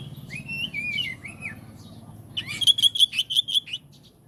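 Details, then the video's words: Oriental magpie-robin song used to prompt other magpie-robins to reply: sweeping whistled slurs, then a fast burst of about eight sharp, repeated ringing notes before falling quiet. "Kacer jenis apapun jika dengar suara ini langsung RESPON"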